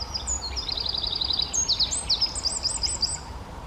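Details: Eurasian wren, a male singing in the Czech Republic: quick runs of piercing high notes, sweeping chips and a looping trill, delivered without pause over light background noise.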